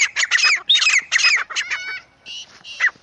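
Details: Wild jungle francolin giving a burst of raspy, squawky notes that slows and breaks into a few thinner, more tonal notes and a final harsh squawk.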